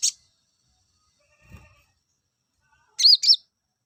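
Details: Olive-backed sunbird, song used to bring males into breeding condition: a short high chip, a long quiet gap with a faint low knock, then two bright, wavering high notes in quick succession.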